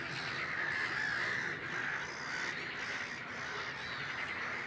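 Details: Great crested grebes of the nominate subspecies at Het Vinne, Zoutleeuw, Belgium, in May 2016: a dense, continuous chorus of rapid, harsh trilled notes, with brief whistled phrases showing through around the middle of the clip.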